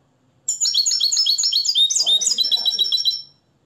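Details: Moroccan nest-raised European goldfinch, hand-reared and tutored in the limpio song style based on the Tarkiba Dahabia 2020 training: a rapid, high, tinkling twitter of repeated sharp notes for nearly three seconds, ending abruptly.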